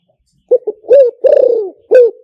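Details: Spotted dove luring call: one clear phrase of two short notes, a rising coo, a long falling purring coo and a short final coo.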